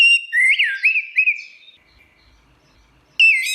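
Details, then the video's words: Orange-headed thrush singing a clear whistled phrase of looping, rising and falling notes that fades away, then after a silent pause a new bright whistle begins at the end. "Kicau Anis Merah Teler"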